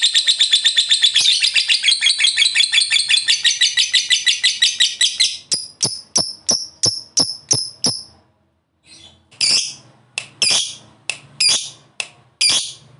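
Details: Lovebird delivering a long ngekek chatter meant to provoke other lovebirds into singing: a dense, fast, harsh high trill for about five seconds, then spaced sharp chirps with a brief pause before more separate notes.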